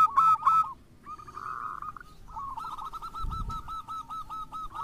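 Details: Lure song of zebra doves, local and crossbred, meant to trigger other doves: two loud ringing coos open, followed by a softer, steady series of short hooked notes over low background rumble.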